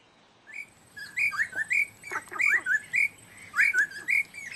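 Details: Black-necklaced scimitar babbler, Dagangshan, Taiwan, July 2011: a lively run of loud, clear whistled notes, rising and falling, delivered in quick bursts of two or three, roughly a dozen notes over a few seconds.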